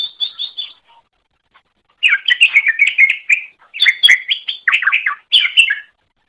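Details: Greater green leafbird song used as a master recording for training other birds: varied, rapid chirps and warbled phrases in bursts, some notes slurred up and down, with short pauses between phrases.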